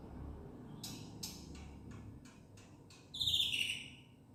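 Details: Black-winged myna, a protected species, in full filler song: a series of dry, sharp clicks spaced under half a second apart, then a loud, ringing harmonic note that falls slightly in pitch, with a faint low hum beneath.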